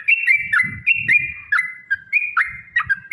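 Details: Long rapid fighting song of the sooty-headed bulbul, played as a lure for other bulbuls: clear whistles joined by quick rising and falling slurs in steady phrases, with low muffled knocking underneath.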